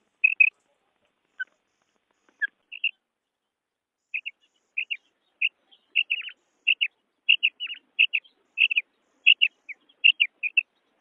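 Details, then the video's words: Female quail calling: short, bright paired notes, clipped and high, repeated in a loose series that grows denser after the first few seconds, with brief silent gaps between them and no other sounds. "15 Bedana Sayrashi Sounds 🔥 Real Female Quail Call 2026 / مادی بٹیر کی آواز"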